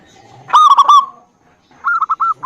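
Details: Zebra dove lure song for quiet birds: two short phrases of quick, hooked cooing notes separated by a brief silence.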